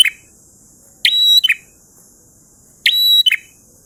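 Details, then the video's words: Ngalun song of a prinia (prenjak): two full phrases plus the end of a third, each a buzzy burst, a held whistled note and a short lower flourish, about 1.8 seconds apart. "Prenjak Gacor Ngalun Syahdu"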